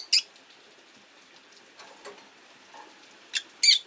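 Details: Rosy-faced lovebirds in a cage near a window, five birds, rain outside, an orange-faced bird shifting position beside a blue-and-white one; a loud shrill chirp, soft twitters, then two harsh chirps at the end.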